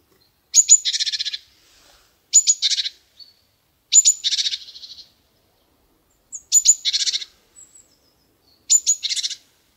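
Black-capped Chickadee giving five chick-a-dee calls, about every two seconds: a high clipped note or two, then a run of buzzy dee notes. Background is quiet.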